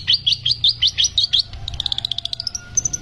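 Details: A long-tailed shrike from West Bali sings a fast run of bright, high chirping notes, about eight in the first second and a half, then a quicker rattle of thin ticks.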